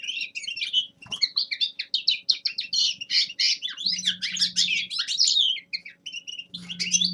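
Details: Continuous, energetic twittering from a young male common linnet practising its song in winter, with dense chirps, buzzy trills and whistles, plus a low steady hum in places.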